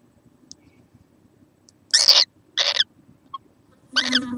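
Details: Small kookaburra, recorded 6 November 2014, giving three harsh, rasping screeches of about a quarter second each, spaced roughly half a second apart, the last one with a more tonal, banded edge; faint background murmur.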